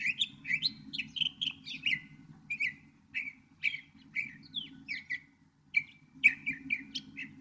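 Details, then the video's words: Northern mockingbird in full song, delivering quick varied chirps and whistled slurs about twice a second, some grouped into repeated bursts, with a soft low hum beneath. "1 hour Northern Mockingbird!"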